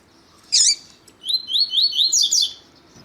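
Double-collared seedeater: a sharp high note, then a fast run of about six rising, slurred whistles ending in brighter, higher twittering.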